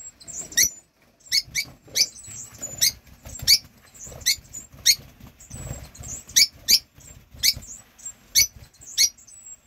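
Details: Rosy-faced lovebird family, a pair with four 8-week-old young, giving shrill, sharp chirps, about fifteen in ten seconds at an uneven pace, over a faint low rumble in the background.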